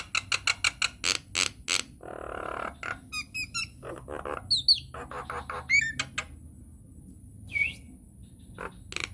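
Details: Nias hill myna in full lure song used to provoke other mynas into singing: rapid harsh squawks and clicks, then a broad buzzy rasp, sharp upward whistles and a lone clear falling whistle near the end.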